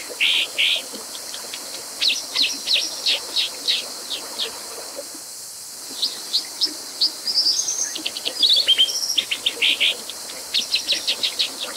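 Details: Brown Dipper, Cinclus pallasii: rapid series of sharp high-pitched chirps, roughly three per second, pausing briefly midway, mixed with short thin whistles and a buzzy phrase, over constant rushing hiss.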